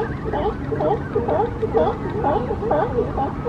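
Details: Brandt's cormorant at a nesting family with three chicks on the Coast Guard pier, Monterey, California, calling in a steady series of hoarse, arching mid-pitched notes, about two each second, over a low rumble of wind and harbour noise.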